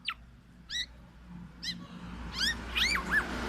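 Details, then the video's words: Black-naped oriole giving short downslurred whistled notes about a second apart, then a quicker run of wavering, slurred whistles toward the end, over a low steady hum. "SUARA BURUNG KEPODANG EMAS YANG KHAS"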